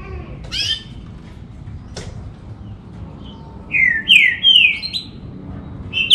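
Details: Green-winged saltator delivering rich, slurred whistles that dip and rise in a connected phrase after a short pause, with a sharp click and a scratchy note earlier; quiet room noise behind.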